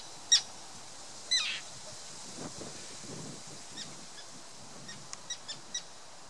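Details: Common terns defending their chicks in June 2016 on Tatyshev Island in the Yenisei, Krasnoyarsk, Siberia: two sharp, harsh calls early on, then faint clicks and short notes over steady rushing background noise.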